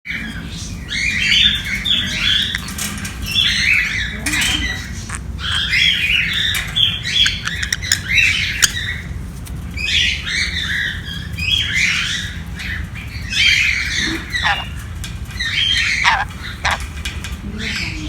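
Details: A pet sun conure at play gives harsh, grating squawks in bursts, with short pauses between.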